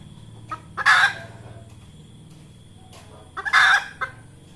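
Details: Red junglefowl hen calling to lure birds for trapping: two loud harsh squawks a few seconds apart, each led by soft clucks, low hum underneath.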